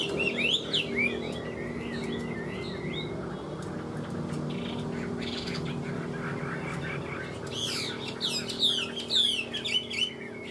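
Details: Chinese hwamei gives bursts of rapid whistled warbling at the start and again near the end, separated by a quiet stretch with a steady low hum.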